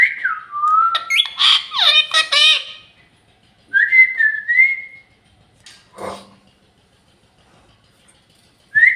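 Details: Talking pet parrot at home making a falling whistle, then a burst of rich raspy harmonic calls, a later rising whistled phrase, a short noisy burst, and a final whistle starting up.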